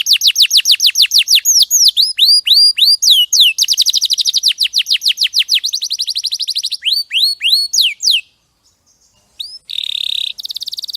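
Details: Canary tutor song, loud and clear: long runs of sharp falling whistles and fast trills for about eight seconds. After a near-silent gap it ends with a buzzy rolling note.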